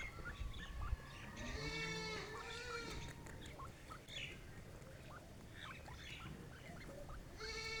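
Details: A pair of partridges calls in a busy outdoor setting: loud harmonic, rising call notes in a short burst, followed by scattered chirps from other birds over a low background rumble.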